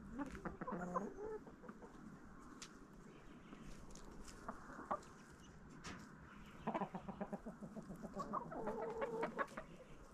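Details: Backyard chickens feeding on a Halloween jack-o'-lantern pumpkin in fall, giving a steady run of soft, irregular clucks with some higher, drawn-out calls and pecking noises throughout.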